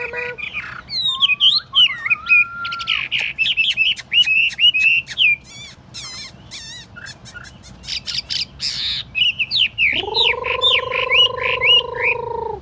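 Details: Caged, tamed Chinese hwamei in a long varied song of twisting whistles, dense chattering bursts and clicks. It ends with a drawn-out low, nasal harmonic tone lasting about two seconds.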